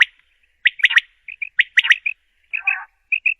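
Common quail gives sharp, liquid three-note phrases, quick-quick-quick, twice in a few seconds, with softer paired notes and a brief harsh chatter between.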